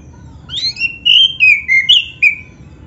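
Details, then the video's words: Black-breasted oriental magpie-robin singing to prompt others of its kind: rising whistle, then a run of sweet sustained notes stepping slowly downward, ending on a short bright whistled note. "SUARA KACER GACOR FULL ISIAN ‼️ Bikin Kacer Lain ON GACOR"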